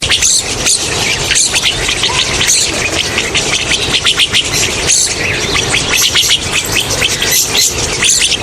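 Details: Rosy starlings, in a recording offered as a lure for hunting: a dense, unbroken chorus of harsh, squeaky, high-pitched chattering from many birds, with rhythmic bursts of louder squeals throughout.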